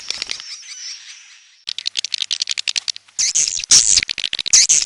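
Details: Edible-nest swiftlet lure calls, red-nest type: a thin, steady high twitter, then a run of rapid clicking chirps and louder, harsh, buzzy chirp bursts near the end.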